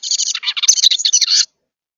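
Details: Excited juvenile Carolina wren flapping at a bird feeder, recorded on a feeder camera, gives a loud, continuous buzzy chatter of rapid, harsh high notes lasting about one and a half seconds, then stops abruptly into silence.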